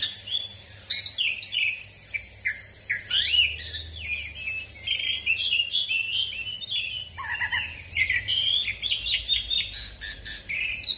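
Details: Asian pied starling singing prolifically in a long, continuous rolling song, used as a lure and training recording to prompt other birds to sing: rapid, varied run of whistled, chirping and slurred notes, high and bright, with a soft low hum beneath.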